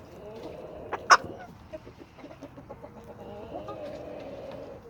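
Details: Homestead chickens and roosters: one loud sharp squawk near the start, followed by soft low clucks and a faint sustained tone, with quiet background hum.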